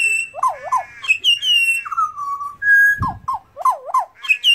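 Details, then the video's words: Pied butcherbird, wild in Australia, pours out a varied whistled song: looping up-and-down notes, held pure tones gliding lower, one sharp low knock midway, then the looping figures return. "Australian pied butcherbirds Excellent singer!"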